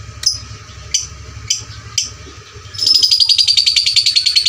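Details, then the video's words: Fighter lovebird with loud voice, recorded to train fighter lovebirds: four separate sharp squeaks, then a sudden fast, even, buzzy chatter of rapidly repeated high notes, over a low hum. "pancingan LB FIGHTER volume suara kerasnya paling gesit ciptakan lovebird fighter juara"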